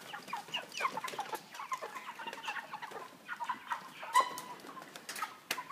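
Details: Broilers of 3 kg in a cage with a pan feeder and plastic floor give a busy mix of short clucks and chirps, with a loud clank near the middle and scattered clicks.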